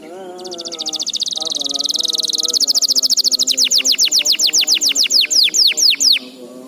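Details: Canary song used as a training recording for young canaries: a rapid, high buzzy trill that swells in loudness, then breaks into a long series of sharp descending whistled sweeps about five per second, over a low, steady, voice-like hum.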